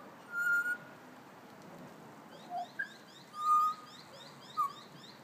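A magpie gives four clear, flat whistled notes, one held longer, spaced over five seconds, with faint high chirps from other birds behind.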